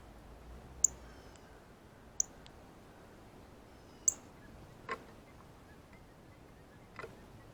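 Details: Male Northern Cardinal eating seeds from a ripe banana at a feeder gives three short, very high chips, roughly every one to two seconds, followed by two dull knocking sounds.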